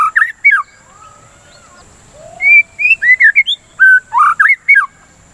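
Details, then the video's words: White-rumped shama song used to stimulate singing: short whistled notes, a soft quiet stretch, then a lively series of clear rising and falling whistles. "Pancingan Suara Burung dan terapi murai batu"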